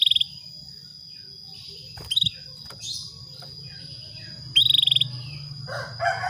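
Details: ["Calling female Atlantic canary meant to trigger a male's breeding drive: three rapid rattling trills, short at first, the last longest, separated by about two seconds. Scattered other bird notes and a steady high whine behind."]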